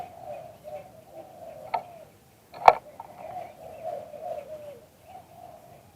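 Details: Spotted dove in a live recording of auspicious liw tan cooing: gentle repeated coo phrases, broken by a couple of sharp knocks, the second one loud, and a short silence.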